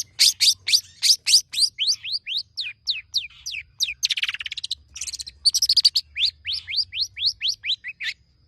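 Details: Long-tailed shrike singing a varied, mimicry-rich song meant to get other birds singing. Fast downslurred whistles in series, a harsh buzzy rattle, then more sweeping notes.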